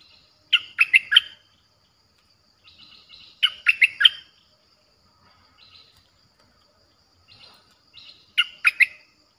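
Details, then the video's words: Streak-eared bulbul song used as a lure for wild birds, sounding fierce: three-note bubbly phrases repeated about every three to four seconds, with soft faint notes between. "เสียงนกดอกแตงEp.98เสียงดุดัน เปิดต่อนกป่าตัวดุๆ"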